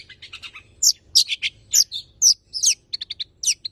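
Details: Champion tame long-tailed shrike (cendet) giving 'isian' fill-in song to prompt and tutor other birds: short, varied, high chips and slurred notes in quick uneven clusters.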